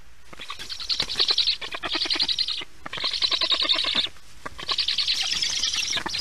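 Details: Black stork storklets at a nest camera while a parent brings lunch, 1:39 p.m. EEST, 22 July 2019; hoarse, buzzy, high bursts about a second long, repeated with short gaps, over knocking and rustling in the nest.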